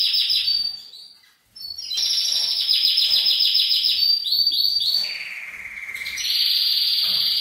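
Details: Canary male singing to arouse the female for mating: fast trill, short gap, then a long rolling trill, several downward swoops, a lower steady trill, and a final high buzzy phrase.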